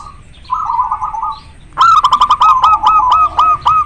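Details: Zebra dove of the local type, in breeding condition, with a very clear voice: a soft rolling trill, then a loud, rapid string of sharp staccato notes riding over a continuous bubbling coo.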